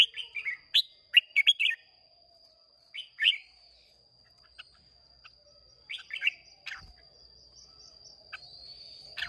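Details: Red-whiskered bulbul from Hòa Bình, a newly caught bird, singing in contest on 30 May 2023: bursts of short, bubbly warbled phrases with pauses between them, over a steady high-pitched whine.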